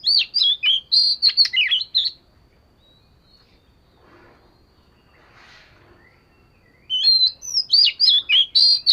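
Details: Oriental magpie-robin practising its song: dense runs of bright, fluty, rapidly changing whistles come in two energetic bursts, with a near-silent pause between them.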